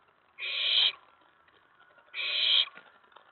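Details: Owlet inside a nest box on the night of May 19 2017, excited by an owl or owlet arriving at the tray after a mouse delivery; a pair of loud, rasping hisses about half a second long, 1.7 seconds apart.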